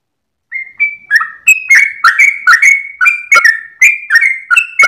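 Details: Yellow-vented bulbul, called trucukan, singing at dawn while wagging its tail: a few soft opening whistles build into a fast, continuous series of bright, clipped notes wavering up and down.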